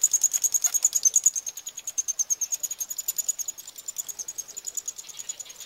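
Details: Chicks of Eurasian wryneck during feeding, Pribytki, Russia, 2 July 2018, keep up a steady high rattling pulse of dry, buzzy ticks, about three per second, gradually softening.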